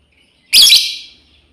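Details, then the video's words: Female lovebird calling to its companions: a single loud, harsh, shrill screech of about half a second, bursting in and trailing off, in otherwise quiet surroundings. "SUARA PEMANGGILAN BURUNG LOBEBIRD//BETINA MEMANGGIL KAWAN"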